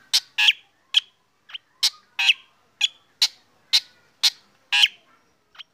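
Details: Black drongo sunned in the morning, singing in a way said to set other birds singing: sharp, harsh, broadband notes and short double bursts, about a dozen in under six seconds at uneven intervals, with a quiet background.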